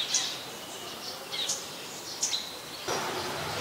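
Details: Scarlet-backed Flowerpecker (Dicaeum cruentatum) in Ubon Ratchathani, Thailand, on 5 February 2020, giving a few sharp, very high ticking chips about a second apart, over steady background hiss that grows rougher near the end.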